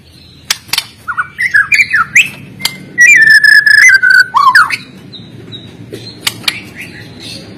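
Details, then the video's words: White-rumped shama from Medan, a fighter songster used as training song for birds that sing too little: clear whistles and slurred notes, then a loud buzzy trill-like passage of rapid pulses, followed by quieter calls. "MURAI BATU GACOR FIGHTER PENUH GAYA || Cocok untuk melatih mental."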